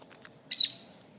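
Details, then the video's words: A pet lovebird, kept with others described as very territorial and hostile toward other birds, gives one short harsh high squawk with a buzzy, falling edge against quiet room noise. "Love bird gangster"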